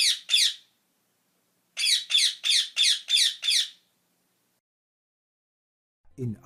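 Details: Parrot giving harsh, high squawking notes: two quick squawks, a pause, then a regular run of six identical squawks about three per second, followed by silence and a brief low sound at the end.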